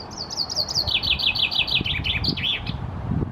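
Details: Male common chaffinch (Fringilla coelebs) perched in a tree in Helsinki, Finland, June, singing a bright, rapid series of repeated notes stepping down in pitch and ending in a brief varied flourish, over a low background rumble.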